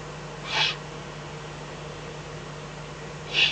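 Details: Eurasian eagle-owl at night in the Eifel, 24 May 2014, between 03:40 and 04:18, with a fox brought as food; two short, harsh, hissing bursts about three seconds apart over a steady low hum.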